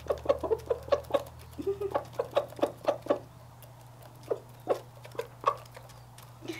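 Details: Rooster eating peanut and corn treats gives happy clucking: a quick run of short, low clucks, about four a second, slowing into scattered single clucks over a steady low hum.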